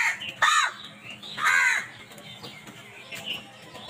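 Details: Crows attacking food, two strong harsh caws about a second apart followed by softer calls, with low background noise throughout.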